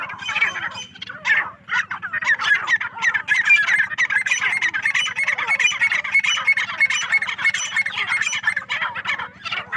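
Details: A dense, unbroken mass of shrill, scratchy calls from many partridges on a farm, almost without pauses, with a faint low hum throughout.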